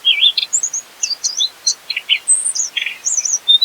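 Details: Sikatan mugimaki (Mugimaki flycatcher) singing gacor isian material for use as a masteran: brief spaced series of high slurred whistles and sharp squeaky chirps, with small gaps between notes.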